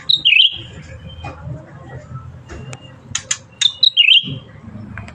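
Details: Bulbul in full song: two short, loud whistled phrases falling then fluttering, separated by sharp tapping clicks and a low rumbling background.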